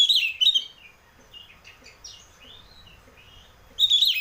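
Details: Oriental magpie-robin (kacer) song in the clear, open ngeplong style, used as a lure to get other magpie-robins singing: loud, buzzy, warbled bursts at the start and end, with soft thin whistled slurs between them.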